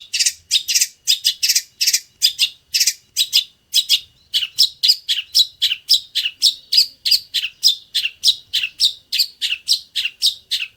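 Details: Long-tailed shrike song, an old-style singer used as training material for other shrikes, described as full 'greja' material: fast runs of sharp, high chirps repeated about twice a second, later shifting to slurred, warbled notes, with no other sounds.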